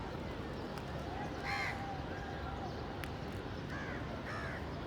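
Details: Crows cawing outdoors: a few harsh, hoarse caws with rising-falling arches, one louder near the start and two paired later, over a steady low engine-like rumble and faint distant chatter.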